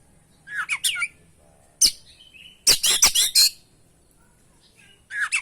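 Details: Oriental magpie-robin (kacer) singing vigorously in a lure recording for training birds: short bursts of bright, buzzy, slurred chirps and whistled notes, separated by pauses of about a second, with faint background hum.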